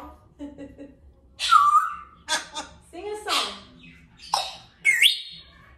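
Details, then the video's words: African grey parrot playing and talking on a window perch indoors: short squawks and whistled notes, one sliding whistle near the start and a rising squeak at the end, separated by pauses, with faint room noise. "I also show a clip of Rascal playing and talking on his window perch at the end of the video."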